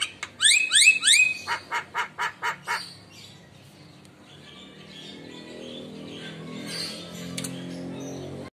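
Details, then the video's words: Javan myna in full song, trained with mimicked phrases, bobbing its head as it answers lure calls from other mynas. Quick upward-sweeping whistles give way to a steady series of sharp clicks, then low background noise. "Jalak Kebo Isian Gacor Reaksi Mangut Manggut Pancingan Jalak Lain Pasti Nyaut"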